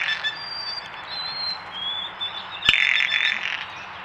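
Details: Backyard trail-camera audio: faint, thin, steady whistled notes of a White-throated Sparrow, then a loud, dry rattling call from a female Blue Jay near the end.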